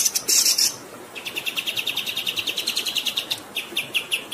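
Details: Rolling song used to train captive songbirds: a short shrill chatter opens, then a long run of rapid, evenly repeated high chirps, with flowing water behind.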